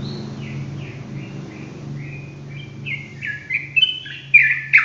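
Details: Sooty-headed bulbul in ropel song: soft, faint downslurred whistles at first, building into louder, denser chattering whistled notes toward the end, over a steady low hum.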